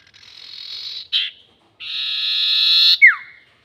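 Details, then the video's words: Sirtu bird calling for use as a trapping lure, long 'nyiul panjang' style: a soft, drawn-out buzzy note, a short sharp burst, then a long loud rasp ending in a quick falling whistled slur. "SIRTU NYIUL PANJANG ..... ‼️ Cocok Untuk Pikat || Suara Pancingan Sirtu"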